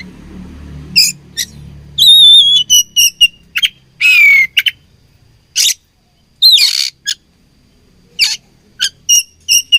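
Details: Oriental magpie-robin singing as a fighting bird: bright whistled notes, some level and some sliding down, mixed with sharp chirps and a buzzy note, in quick bursts with short pauses.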